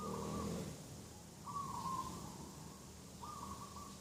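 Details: Dove in a garden setting one morning, 2 October 2021: three even-pitched coos in quick succession, the middle one longest, over a low hum.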